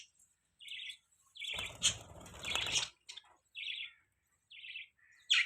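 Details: Budgies giving short, high, scratchy chirps spaced about a second apart, broken midway by a loud mixed burst of chatter and low fluttering, with a sharp squeak at the end.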